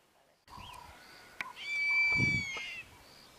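A Wahlberg's eagle gives one long, steady, high whistle held for over a second. Fainter whistled notes and a soft low thump come before it.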